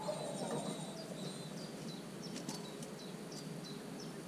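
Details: Common cuckoo chick in a marsh warbler nest on 27 June: thin, high, downslurred notes repeated about three times a second throughout, over a steady low hum and a few brief broadband clicks.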